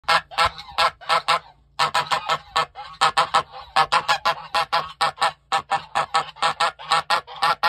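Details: Goose giving alarm calls: loud, harsh, nasal honks in rapid irregular bursts, several to a second, with brief pauses and overlapping voices throughout.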